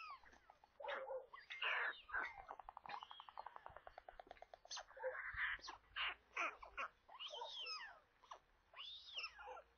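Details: White stork chicks in a nest near Kaluga, Russia, during a midday feeding on 27 May; dense harsh chatter, rapid clicking runs and arched squealing notes overlapping from several young.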